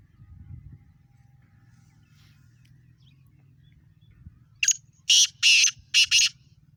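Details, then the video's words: In Sindh, Pakistan, a black francolin gives its call. After several seconds of quiet low background, four harsh, scratchy notes burst out in an even, rhythmic series lasting under two seconds. "beautiful Awaaz Kala Teeter"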